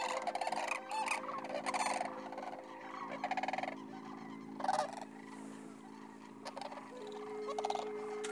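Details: Sandhill cranes on spring migration through Nebraska's Sand Hills in March, roosting on the Platte River at Rowe Sanctuary: many overlapping rolling, rattling calls in bursts, over a steady sustained musical drone.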